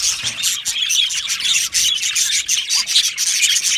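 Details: An aviary budgie colony chatters in a busy, high-pitched mix of twittering, squeaky notes and brief clicks. The sound is steady throughout with frequent short accents.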